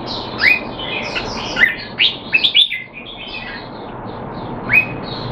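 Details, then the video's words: Caged red-whiskered bulbul in Singapore, trained while out of form, 25 December 2020, sings short liquid rising phrases in scattered bursts over a steady background of chirping birds. "นกหัวจุก Jambul V2 LoneRanger training keep him sharp (he's not in form)"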